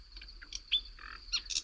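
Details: Common nightingale (Luscinia megarhynchos) singing in the dark of night at Navas de Riofrío, Segovia, Spain, recorded some years ago: short clean whistles and sharp chirps, changing motif every few tenths of a second, with a faint steady high hiss.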